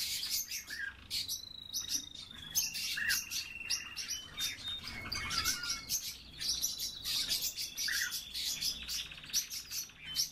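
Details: European bee-eaters, kept by the recorder, giving many overlapping rolling, trilled calls: level purring notes alongside short sharp chirps in a busy chorus of several birds calling at once.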